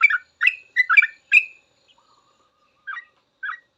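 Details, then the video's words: Sooty-headed bulbul song for training caged birds: a burst of five bubbly chirped notes, a pause with a faint low whistle, then two softer chirps. "Suara trucukan full ropel panjang cocok buat masteran trucuk belajar bunyi langsung ikut ropel"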